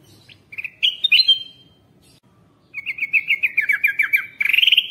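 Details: Bulbul lure for wild birds: a short chirped phrase and a high whistled note, a silent gap, then a steady series of about twelve quick two-part chirps finishing in a buzzy rising trill.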